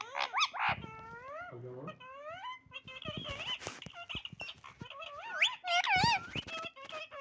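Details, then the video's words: Pet parrot calling indoors: a busy run of warbling, wavering harmonic notes that bend up and down, with sharp clicks and short squawks mixed in and soft background sounds. "parrot voice"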